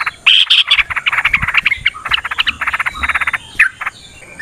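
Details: Yellow-vented bulbul, a kept bird, giving a long, rapid fighting song meant to provoke other birds into singing. Dense bursts of chattering, bubbly notes run together with brief pauses, and short gaps fall between the phrases.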